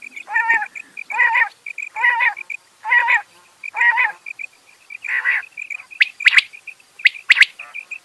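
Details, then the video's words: Rain quail: steady series of rich, buzzy harmonic calls roughly every 0.7 seconds, separated by doubled high clipped notes, followed by sharper broadband notes. "Rain Quail Sounds bedana sayrashi bedana ovozi Batair Ki Awaz بٹیر چنکہ کی آواز"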